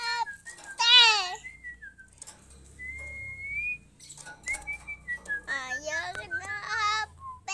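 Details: Female Oriental magpie-robin recorded indoors as a training voice for other birds. Loud harsh harmonic calls alternate with clear level and rising whistles, with rapid bursts of buzzy notes near the end.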